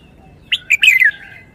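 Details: Red-whiskered bulbul singing a wild-style song: one short burst of loud, warbled notes, a quick chirp followed by a rich, descending slurred whistle lasting about half a second, over a quiet background.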